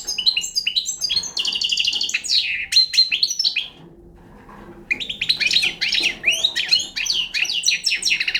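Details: Young Balkan European goldfinch in full song, with rattling trills and sharp twitters, then a short pause of about a second before it resumes with varied tinkling phrases.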